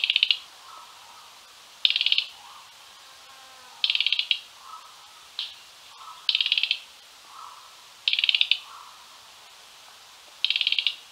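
A Mugimaki Flycatcher gives short, high, dry chattering rattles about every two seconds, with softer lower calls from other birds and faint insects behind.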